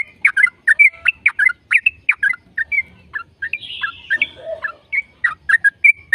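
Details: A yellow-vented bulbul pours out a long 'gacor ropel' song meant to prompt other bulbuls: rapid bubbling chirps, a short buzzy rasp midway, then more sharp slurred notes.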